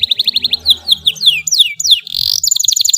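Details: Long canary song used to train young birds: fast repeated trill bursts, then descending whistled sweeps and a harsh buzzy stretch, ending in rapid chattering notes, with faint low hum beneath.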